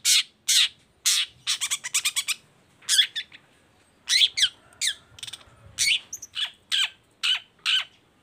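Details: Lively long-tailed shrike (cendet baham) song used to coax other shrikes into singing: a dense series of harsh, rasping chips and rapid stuttering notes, some doubled, delivered in quick succession.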